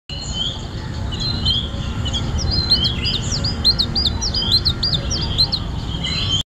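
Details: A putative Siberian chiffchaff sings in Mamzar Park, Dubai, on 1 March 2018: a quick, uneven string of high, thin chipping and sweeping notes at varied pitches, over a steady low rumble of wind or distant noise.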